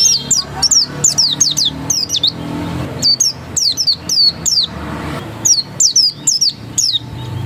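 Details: Oriental white-eye delivering 'ngotot' song, clusters of crisp high downward-sweeping whistled notes, three to five per burst, repeated every second or so against faint low hum.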